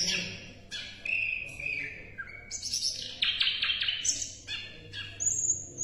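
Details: Asian brown flycatcher in a tutor recording for competition songbirds, pouring out a fast, varied jumble of high chirps, slides and trilled phrases with few pauses, above a constant low hum.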